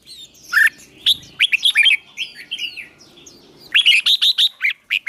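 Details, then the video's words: Songbird song for training a fighting singer and stirring a young bird: scattered sharp chirps and twittered phrases over a low murmur, ending in a fast, loud series of evenly spaced chirps. "Luyện chim hót đấu, kích bổi lên lửa"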